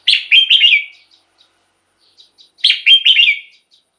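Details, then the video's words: Two bright, rollicking warbled phrases from a Red-whiskered bulbul, about two and a half seconds apart, each a fast cluster of whistled slurs. Faint ticks fall between them. Played to excite caged bulbuls or as a decoy. "เสียงนกกรงหัวจุก สำหรับต่อ หรือ เปิดให้นกคึก เสียงเพราะๆ"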